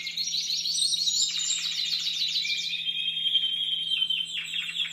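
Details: Young Timbrado Español canaries bred in 2015, caged in competition cages during training in late October to early November, repertoire not yet fully formed: continuous high metallic rolling trills, shifting between rapid pulsed tours and steadier buzzy passages.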